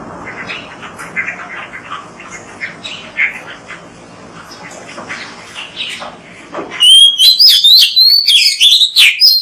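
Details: Oriental magpie-robin, recorded as a training track to coax other magpie-robins into singing. Soft, muffled chatter fills the first part, then a loud burst of rapid, twisting whistles and sharp chirps near the end.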